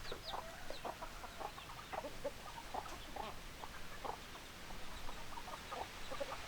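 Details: Several chickens cluck steadily. Brief, mid-pitched pulses come in quick, uneven succession from overlapping birds over a constant low rumble.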